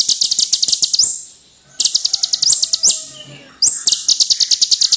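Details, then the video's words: Purple-throated sunbird, kept as a song-tutor bird, pours out very high, rapid chips and sharp ticks in fast bursts about a second long with brief pauses between. "Kolibri Ninja Gacor Full Isian"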